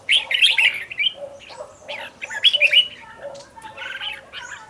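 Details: Red-whiskered bulbul decoy bird in training to sing well, fast and fiery; bright chirpy phrases sweeping around upper pitches, with lower warbled notes beneath, suggesting more than one singer, short bursts spread over a few seconds.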